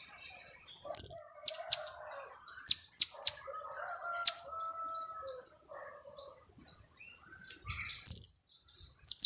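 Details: Blue-crowned hanging parrot youngster, two weeks old, used as a lure, calling a rapid irregular series of sharp, very high chips and shrill notes, with a faint lower whistle from another bird in the middle.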